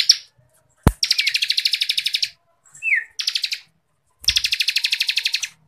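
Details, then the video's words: Songbird contest training recording of ciblek kristal: rapid rattling trills of high buzzy notes in one-second runs, a sharp click, and a short sliding whistle between bursts. "CIBLEK KRISTAL GACORRRR FULL NGEBREN RAPAT MASTERAN WAJIB BURUNG LOMBA KICAU"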